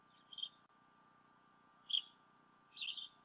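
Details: Bald eagle pair at the Decorah North nest, 28 February 2016, around late morning, with the male bringing fish to the female; three piercing, slightly rough chirps spaced about a second apart over a low electrical hum, captured by nest camera.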